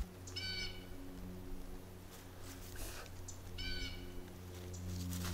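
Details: Blue jay (Cyanocitta cristata) in spring woodland giving two loud, ringing jay calls about three seconds apart over low wind rumble, an alarm warning others that a hawk, possibly a Cooper's, just flew nearby.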